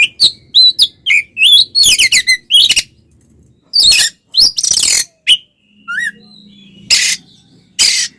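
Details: Oriental magpie-robin, a bird singing hard to provoke rival males into fighting: rapid mix of sharp whistled notes, buzzy rasping bursts and chattering trills in quick varied phrases, with brief pauses between bursts.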